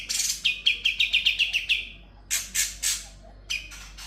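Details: Sooty-headed bulbul's continuous song filled with konin, kapas tembak and kunti imitations: a fast accelerating string of about ten sharp chirps, then three loud harsh rasps and a final short chirp.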